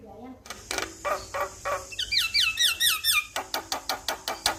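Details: Male Javan myna song used as a master to trigger singing in other mynas: a run of sharp clicks, then a rapid series of looping whistled chirps, ending in evenly repeated dry ticking notes about twice a second.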